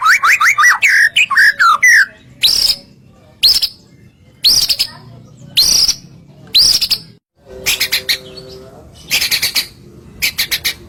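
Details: White-rumped shama singing a masteran meant to provoke other shamas into answering: a rapid run of rising and falling whistles, then separate sharp upswept notes about once a second, and buzzy broadband bursts near the end.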